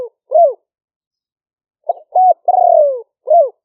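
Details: Live smartphone recording of a spotted dove used as a trapping decoy, paddy fields in the rainy season, Roi Et province, Thailand. Hooked coos frame one phrase with two clipped notes and a long, rolling, downward-sliding coo; there are no other sounds.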